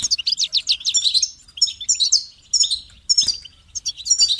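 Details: Loud, fast goldfinch song with dense rippling twitters and sharp chirps, delivered in energetic phrases separated by short gaps, plus one soft thump.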